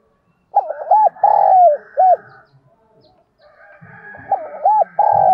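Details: Decoy spotted dove calls and coos. One full phrase of arched and long falling hollow notes is followed by a second phrase that breaks off at the end. A faint murmur lies underneath.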